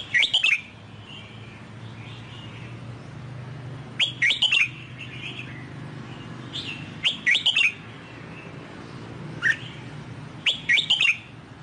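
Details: Red-whiskered bulbul singing the Sông Kon song style to train a newly bought wild-caught bird: five bursts of lively, looping whistled notes every few seconds, one a single short note, against a soft background hum.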